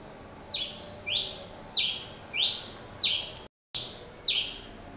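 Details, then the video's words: Pileated finch, known as tico-tico-rei-cinza, singing a lot: strong downward-sweeping whistled notes, six in five seconds at an even pace, with a brief silent gap; faint steady low hum behind. "Tico tico rei cinza cantando muito"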